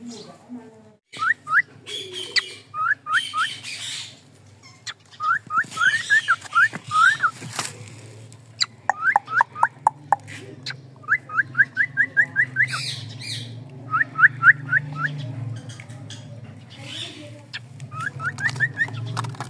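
Cockatiel giving quick series of short, rising whistled chirps, repeated in bursts over a low background hum.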